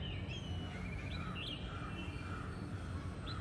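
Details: White-browed wagtail, also called pied wagtail, sings thin, sweet whistled phrases with a quick twisting flourish, fairly faint over a steady low outdoor rumble; bird also seen eating, drinking and running.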